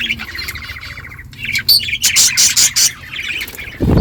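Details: Budgies in a flock on a morning, talking to each other: a buzzy trilled note, then loud rapid high chirps and squawks in quick succession, ending with a low thump.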